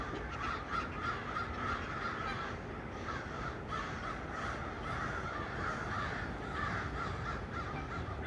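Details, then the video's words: Crows gathered in trees on 1 November 2022, making noise as a flock: harsh cawing overlaps in a dense, continuous chorus. "Crows hanging out on the trees and making noise."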